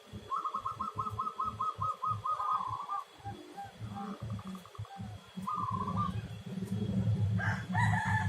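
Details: Local zebra dove, a melodious domestic-type singer: a rapid run of short, clear, evenly spaced notes lasting about two seconds, then a pause and shorter trilled bursts, over heavy low thumping rumble throughout.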